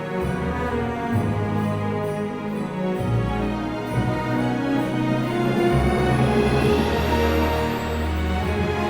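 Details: Soft, sustained background music with low droning notes and gentle melodic layers, with no animal voices present.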